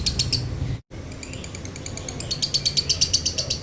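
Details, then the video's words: Lovebird with a dry-toned 'konslet' song, a lure for other lovebirds: a few buzzy notes, a brief cut, then quiet chatter building into loud, quick, regularly spaced high buzzy pulses. "MASTERAN LOVEBIRD KONSLET NADA KERING | PANCINGAN SUARA LOVEBIRD KONSLET"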